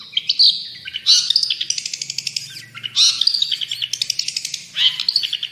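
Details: Long-tailed shrike giving vigorous tutor-style song: loud rasping bursts alternating with rapid rattling trills of evenly spaced notes, repeated in phrases roughly every two seconds.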